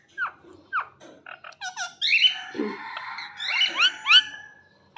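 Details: Parrot vocalising indoors in a dense run of high chirps and whistles. Short rising notes give way to overlapping squeaky, buzzy phrases, with repeated sharp upslurred notes toward the end.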